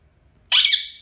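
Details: A pet rose-ringed (Indian ringneck) parakeet gives one loud, harsh, high screech after a moment of quiet; the call cuts off sharply and then fades.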